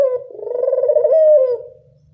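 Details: Single long coo from a local Barbary dove in the classic 'angungan' style, starting soft, swelling to a full mellow tone, then fading away with a low trailing murmur.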